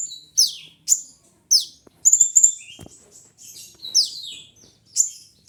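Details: Kolibri ninja sunbird song of sharp, high descending sweeps repeated about twice a second, broken by a rapid twittering trill in the middle.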